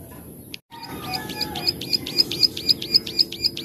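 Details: Plain prinia, locally called klik-klik, recorded as a training master: after a short gap, regular high clicking notes build in loudness, about four per second, over faint background hiss.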